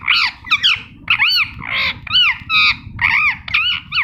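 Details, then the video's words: Green ringneck talking parrot chattering in a quick sequence of about ten harsh, arched, slurred notes over four seconds, some running together, over a soft low hum. "Green Ringneck Talking Parrot Natural Sound"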